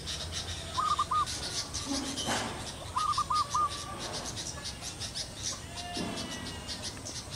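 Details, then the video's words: Pair of zebra doves perched on a teak branch, enjoying cool air after a night of rain that ended months of hot, dry weather; a soft trilled cooing phrase near one kilohertz sounds twice, with a hissing background and a faint low thud. "sepasang perkutut menikmati udara sejuk setelah hujan semalam"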